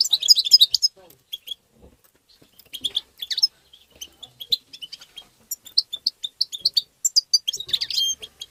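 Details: European goldfinch singing in the tabtaba style, meant to stimulate other goldfinches: dense bursts of high, tinkling twitters with short liquid notes, pausing briefly, then resuming in quick runs of chirps.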